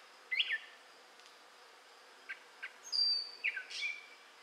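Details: Gray catbird song from southwest Michigan, May 2011, heard as a few scattered phrases: a squeaky slurred note, two faint clicks, then a high thin whistle and a falling mewing slur, separated by quiet gaps.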